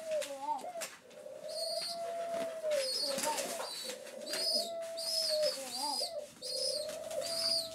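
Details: Young rescued pigeons awaiting breakfast on day seven of care, calling with long smooth mid-pitched tones punctuated by bursts of thin high squeaks, repeating steadily over a faint hiss.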